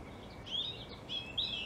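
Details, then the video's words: European robin song: two short, high, sweet warbled phrases with quick twittering turns, separated by a brief pause, over a steady low hiss of background noise. "European Robin Call Song"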